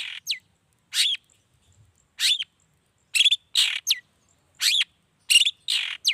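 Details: Long-tailed shrike in full song, used as a lure to make other shrikes answer, morning to evening; short harsh bursts alternate with sharp rising whistled notes, roughly one phrase every second, in a quiet background.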